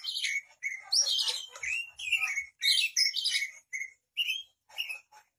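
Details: Oriental magpie-robin (kacer) in lively 'gacor' song meant to prompt other birds to respond: dense mix of bright whistles, upward-swept notes and rasping trills, delivered in rapid phrases separated by brief gaps, growing sparser toward the end.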